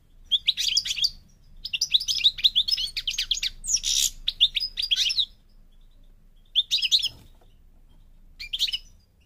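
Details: European goldfinch of the North African form parva, Morocco: bursts of rapid, tinkling twitters and buzzy notes in phrases, with a pause after two seconds and short separate snatches near the end.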